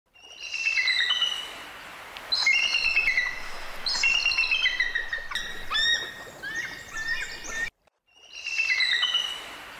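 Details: Bald eagle calling: bursts of high, thin chirping notes with ringing overtones, each run stepping downward in pitch, repeated in several series with brief pauses between, the last after a short silence.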